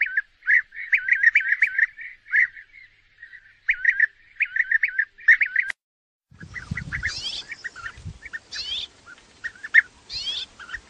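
Bee-eaters give rolling, liquid prruip calls in quick bursts, several birds overlapping; after a short gap the calls continue over a louder, rougher background with low rumbling noise.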